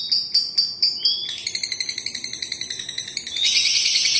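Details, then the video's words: High, ringing lovebird ngekek, starting with a few spaced loud notes, then a quicker run of thinner repeated chirps, ending in a dense buzzy rush of sound. "Love birds gacor ngekek panjang konslet - Love Birds Sounds Ngekek"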